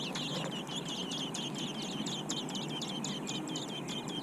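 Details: Large robin nestlings in their nest give a fast, steady run of thin, high chirps, roughly three per second without pause, over a low background hiss.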